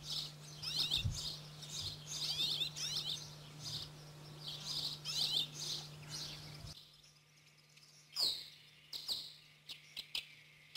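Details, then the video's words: Eurasian crag martins (Ptyonoprogne rupestris), rare or passage birds in Corrèze, France, give quick, dry, high chirps and twitters, dense at first and then scattered single notes, over a low steady hum. "Hirondelle de rochers-Ptyonoprogne rupestris"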